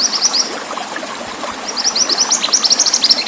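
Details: Pied bushchat, singing energetically with water sound behind: a short run of high chirps, a quiet gap, then a longer fast series of rising, sharp notes over a steady water hiss.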